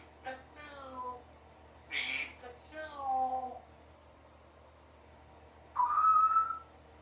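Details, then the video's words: Three-year-old female Congo African grey parrot practising sounds at home: wavering harmonic cries and a spoken burst, then a clear rising whistle held for almost a second. "A few minutes while Symon the African Grey Parrot practices her words and sounds"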